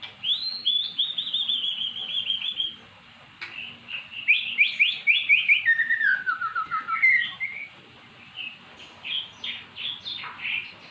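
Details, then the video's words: Magpie-robin responding to recorded song after long silence, pouring out rapid trilled whistles, a descending slurred run, and bursts of sharp repeated notes, loud and continuous. "Burung Murai jadi GACOR setelah dengar kicauan di YOUTUBE"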